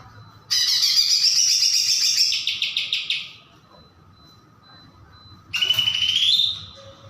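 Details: Greater green leafbird, one of twelve chatty birds in full song, giving two loud bursts of harsh, buzzy chatter, the first lasting nearly three seconds and ending in rapid stuttering notes, then a brief pause before a shorter rising burst.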